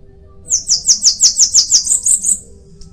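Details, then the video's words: Bananaquit song, also called sibite or chupa-mel: around a dozen fast, piercing buzzy notes in an even run, finishing with higher squeaky notes. "Cambacica| Sibite|tietê|mariquita|chupa-mel|til |sebinho |caga-sebo|chupa-caju| guriatã canto"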